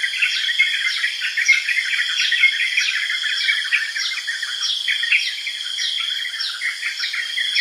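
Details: Lively chattering chirps from yellow-vented bulbul, overlapping notes running continuously, while a higher downslurred note repeats about twice a second and constant insect buzzing hums in the background.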